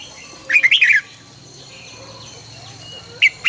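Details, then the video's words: Red-whiskered bulbul, a trained bird singing its morning song: one quick burst of warbled, bubbly notes lasting about half a second, then a short pause and two brief sharp chirps near the end. "luyện chào mào hót sáng 2020- Hót hay nhanh căng lửa - Cách luyện chào mào hót căng lửa"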